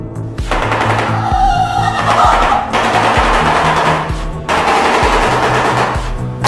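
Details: A shoebill gives a rapid, hollow clattering, like a burst of machine-gun fire, in two long runs with a brief pause between, with music playing underneath.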